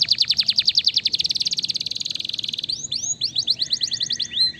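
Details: Fighter canary song meant to make other canaries reply: a rapid rolling trill of high notes for over two seconds, then sharp upward-curving whistles repeated quickly.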